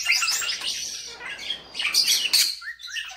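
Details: Indoor pet starling on a bed, singing to rouse a napping owner; rapid scratchy chatter and clicks give way to sharp high squeals and a couple of short rising whistles near the end.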